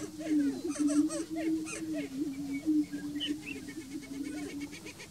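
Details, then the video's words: Greater prairie-chickens gathered on the Bledsoe Ranch lek: a steady low hooting drone runs throughout beneath rapid bouncing whoops and clusters of excited, high cackling notes. "Greater Prairie-Chicken at Bledsoe Ranch Lek"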